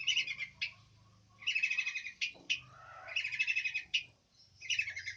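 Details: Long-tailed shrike giving loud, grating, buzzy bursts of about a second each, with sharp clicks between them and low background hum.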